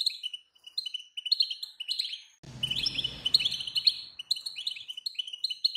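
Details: European goldfinch female calls, used to stir a quiet male into loud song: rapid, thin, clipped chirps repeated throughout, with a brief low rumbling thump near the middle.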